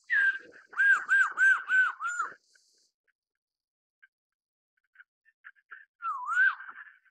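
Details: Black-throated laughingthrush song: a rapid series of five ringing arched whistles, each dipping and rising, then near silence with a few soft ticks before one more looping whistle.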